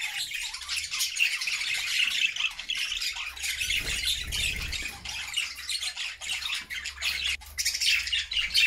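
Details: Cheerful budgerigar flock kept in a new homemade cage, singing together; unbroken babble of buzzy chatter, squeaks and harsh squawks, with a low hum underneath.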